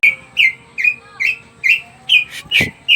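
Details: Greater green leafbird singing actively, its song used to encourage other birds to sing: evenly spaced whistled notes about three per second, each with a quick rising flick, broken by one harsh noisy burst.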